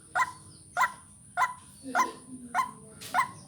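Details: White-breasted waterhen call for luring birds and vocal practice: six rasping, nasal notes spaced about 0.6 seconds apart, fairly regular, with faint low murmuring in the background and a steady high electronic tone.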